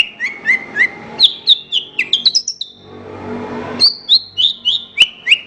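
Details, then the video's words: Horsfield's bush lark singing on a training recording for songbirds. Rhythmic whistled notes drop in pitch, with high clicks between them. A brief pause comes before the series resumes at about four notes per second. "Ocehan Suara Burung Branjangan"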